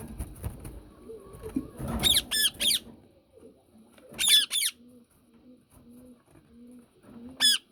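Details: Yellow ringneck parakeet indoors giving harsh, buzzy squawks in short bursts of two or three, with pauses between bursts; soft low cooing and faint rustling continue in the background.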